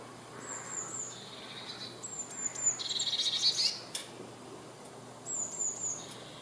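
Eurasian blue tit singing thin, very high drawn-out notes, then a fast buzzy trill. The phrase repeats after a pause, over faint steady background hiss.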